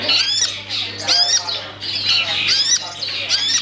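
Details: Caged long-tailed shrike singing in performance. Harsh, raspy phrases with steeply falling sweeps come in bursts about every second and a quarter, over a faint steady low electrical hum.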